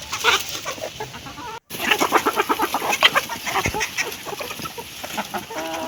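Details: Hens feeding and clucking: quick, rhythmic clucks and taps after a brief silent break, ending with a short tonal note.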